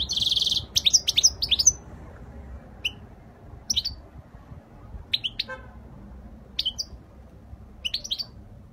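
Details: Spanish-style faultless song of a European goldfinch, 2020: opens with a harsh buzzy note followed by a fast run of bright twitters, then single sliding chirps about once a second over quiet low noise.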